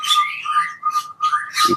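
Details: Puyuh gonggong partridge calling in an aviary in the early morning: a sustained, steady whistled note held through the whole clip, overlaid by harsh noisy bursts from other birds.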